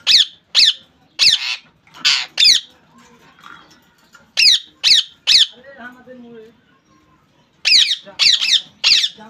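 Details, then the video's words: Pet rose-ringed parakeet calling in bursts of loud, shrill squawks separated by pauses, with faint low murmuring and soft indoor sounds between the outbursts. "Parrot sound"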